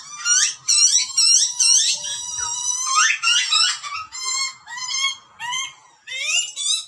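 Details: Baby butcherbird in the wild in Australia screaming for food during feeding by its parents: dense run of shrill, rising and wavering harmonic squeals, some drawn out, others clipped, overlapping in a frantic, irregular stream.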